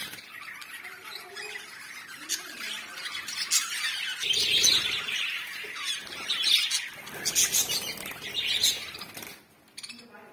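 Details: Pet budgerigars chattering: busy, scratchy high chirps and squawky warbles in overlapping bursts, growing louder toward the middle before fading at the end.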